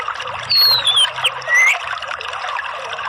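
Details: Orange-headed thrush song played to lure other birds into singing: clear, high whistled notes, first a long descending glide, then a short rising slur, over a steady trickling, hissing background.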